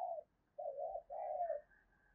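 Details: Spotted dove cooing as a lure to provoke wild birds, recorded faintly: three drawn-out, wavering low coos over a light background hiss, with a thin higher tone near the end.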